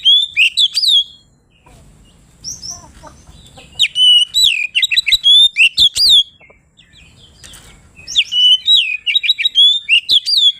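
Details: Oriental magpie-robin, locally kacer, singing nonstop to goad rival birds: quick strings of whistled slurs and sharp chirps, separated by short quiet spells, ending in a rich burst of rapid twittering whistles.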